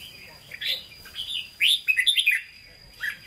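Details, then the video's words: Captive red-whiskered bulbul, Hue-style song: a few soft warbles lead into a loud rapid string of bright slurred whistles, then one closing note, with a constant faint high-pitched tone in the background. "Chào Mào Chuẩn Giọng Huế Hót Ché"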